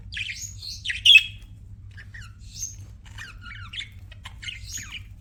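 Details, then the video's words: Pet budgies softly chattering and chirping: quiet scratchy warbles and short notes run throughout, with one louder sharp chirp early on. "BUDGIES CHIRPING SOUND"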